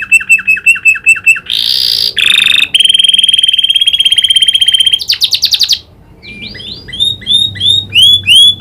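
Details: Canary taught the prinia's clicking call. It sings short repeated notes, then harsh buzzy bursts and a long steady rattling roll, then a brief silence before a string of upward-slurred chirps.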